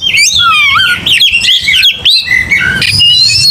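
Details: Oriental magpie-robin in a fierce, combative song, pouring out continuous bright whistles, falling slurs and chattering notes with hardly a pause.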